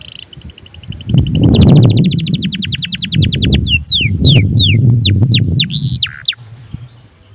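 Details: Vigorous canary song meant to prompt other canaries to join in: high rapid trills running into a series of clear falling whistles, over steady low rumbling background noise.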